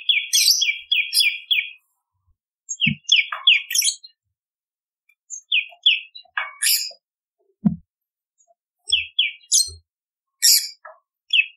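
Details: Bar-winged prinia song for luring birds: irregular clusters of sharp chirps mixed with high scratchy buzzes, separated by pauses, with occasional low thumps in the background.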